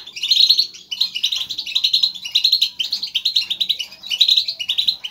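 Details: Several European goldfinches giving lively group chatter used to stimulate a caged goldfinch into singing; dense overlapping twittering and tinkling notes, bursts of fast chirps about every second, high and bright throughout.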